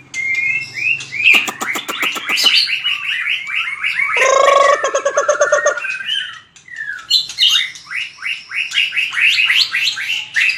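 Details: Fighting song (hót đấu) of a white-rumped shama for voice training: quick rising whistled notes and clicking bursts, a harsh lower chattering passage midway, then more rapid upward-sweeping whistles repeated in series.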